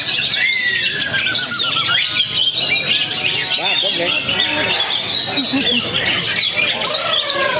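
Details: Young Oriental magpie-robin from Perbaungan, recently moulted, sings a rich mix of long descending whistles, rapid chatters and trilled runs, the song unbroken for the whole stretch while people talk quietly nearby.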